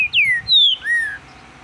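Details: Captive green-winged saltator in Minas Gerais, Brazil, whistling three clear notes, the first two sliding downward and the last lower and slightly arched, before falling silent.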